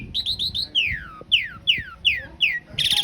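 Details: Asian pied starling master recording for cage-bird training, rough-fill long-roll style: a short chattering trill, then five clear falling whistles about every third of a second, ending in a harsh buzz.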